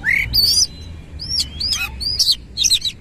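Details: White-rumped shama with tail spread giving loud, rich whistled phrases: rising slurs, a long arched whistle and rough buzzy notes in quick succession, fairly clean with low rumble underneath.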